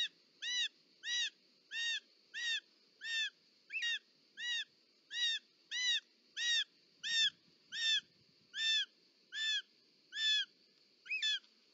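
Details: Short-toed snake eagle (Circaetus gallicus), a mother bringing a snake to the nest, Ports Natural Park, Catalonia, 18 July 2024: a clear, slightly nasal whistled note repeated about every two-thirds of a second, over a soft low rumble.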